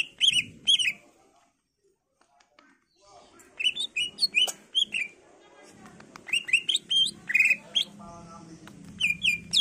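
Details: Greater green leafbird's varied song for luring replies from other leafbirds: scattered chirps, a pause, then a busy jumble of short whistles and twitters over a faint low background.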